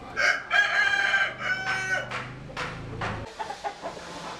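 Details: Rooster crowing: a long, loud, harmonic cock-a-doodle-doo lasting about two seconds, then further rough, fading crow notes and faint clucking in the background.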